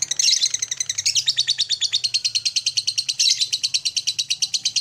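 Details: Lovebird morning stimulating call used to spur other lovebirds into trilling and long chattering (ngekek): a fast, harsh, high chatter of evenly spaced notes, about three per second, running throughout over a faint low hum.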